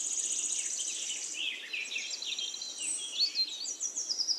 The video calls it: Magic singing of a nightingale